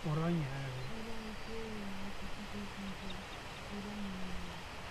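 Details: Kelp goose (Chloephaga h. hybrida) at Ushuaia, Argentina, 24 March 2012, among Kelp, Brown-hooded and Dolphin Gulls, giving a low nasal honk, then short flat hooting notes and a final drawn-out note, over steady wind or surf.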